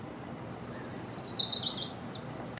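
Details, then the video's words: Orange-crowned warbler singing a high, rapid trill that drifts lower and breaks into a few slurred notes at the end, over faint background hiss. "Orange-crowned Warbler song"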